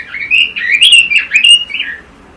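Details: A red-billed leiothrix, kept as a songbird and recorded for song training, sings a fast, fluty warble of rising and falling phrases, bright and continuous for about two seconds, then stops.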